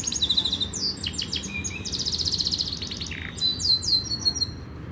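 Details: Powerful Yorkshire canary training song: high twitters and a fast bright rolled trill, a short lower buzzy note, then more sweeping high chirps, over low background hum.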